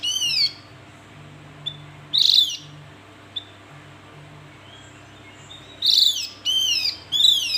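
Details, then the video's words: Falling whistled slurs and a rasping buzzy note from a Javan grey-throated white-eye, then a few seconds of near quiet with faint ticks, ending in a lively run of buzzy notes and descending slurs. "Panggilan burung Opior Jawa"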